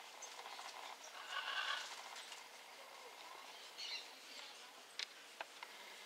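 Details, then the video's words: Flock of white-naped jays calling: harsh, nasal notes with stacked harmonics, loudest burst around the middle, then scattered shorter calls and a few sharp clicks near the end. "Bando de Gralha canção"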